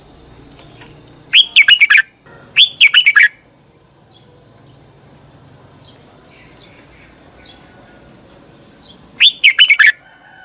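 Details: Red-whiskered bulbul singing 'căng lửa' for song training: three rapid warbling phrases, two close together and a third after about six seconds of hiss, with a steady high electronic-like tone.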